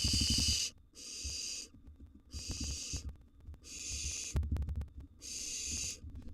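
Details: A steady series of five harsh, snore-like hisses from wild barn owl nestlings being fed in a nest box, each under a second long, with scratching and soft bumps.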